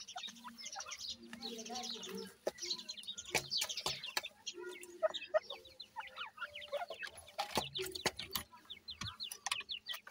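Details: Captive grey francolin chicks calling together: a busy stream of brief high peeps, some slurred downward, with frequent sharp taps and clicks and a faint low hum.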